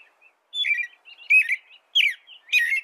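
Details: American robin song: four bursts of fluty, warbling phrases about half a second apart, some with thin, high-pitched squeaky notes on top, in a quiet setting.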